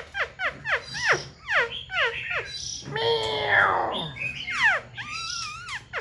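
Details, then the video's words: Caged Black-throated Laughingthrush with fanned tail and wing display gives rapid falling whistled sweeps, then a burst of harsh, noisy notes, followed by further slurred whistles. "Khướu bạc má VIP đuôi xòe, múa cánh giọng cực hay"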